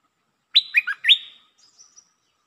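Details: Single phrase of red-whiskered bulbul song in the lakboen (double) style: a loud upward whistle, two quick dipping notes, then a drawn-out rising whistle fading into faint high twitters.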